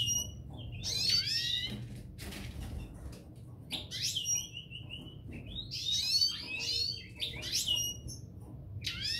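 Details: Twittering song from a pair of parva goldfinches: quick bursts of tinkling descending notes, some tied together by thin rising whistles, with irregular short gaps and a low background hum.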